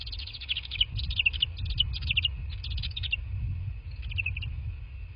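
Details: Bald eagles at their nest in southwest Florida, late evening on 03/02/2024 at 22:40, give rapid high chittering note series over a steady low rumble and a constant thin hum.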